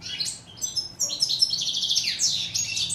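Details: European goldfinch (chardonneret in French, steyla in Morocco) in full song, quick sliding chirps followed by a sustained, rapidly trilled buzzy phrase, bright and high-pitched throughout.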